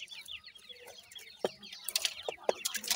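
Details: Grey francolin chicks, described as Irani teetar young, giving many short downslurred cheeps that overlap in a busy chorus, with sharp knocks and clatter around them.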